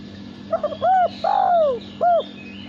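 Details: Single song phrase from a caged male spotted dove bred for cooing contests: faint clicks, a clear short coo, a long downward-sliding coo, then a closing short coo.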